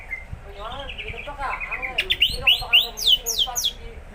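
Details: Greater green leafbird beginning to sing regularly: soft warbled phrases, then a fast series of loud, sharply falling whistled notes in the second half, with faint background rumble.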